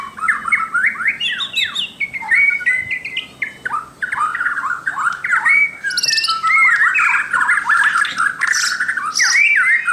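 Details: White-crowned shama (Copsychus stricklandii) pours out a long, varied song of rich whistles, slurred rising and falling notes and scratchy flourishes, delivered almost without pause.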